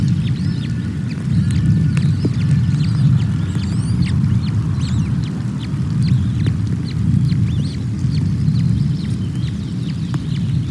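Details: On a 24 May morning at the Loch of the Lowes nest in Scotland, very hungry osprey chicks call while female NC0 feeds them; a dense string of short high peeps continues for over ten seconds against constant low wind roar.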